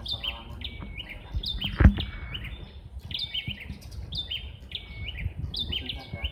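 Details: Bar-winged prinias answering each other as if competing over who sounds louder: short stepped chirping phrases, several overlapping in quick succession, with a loud thump midway and low background rumble.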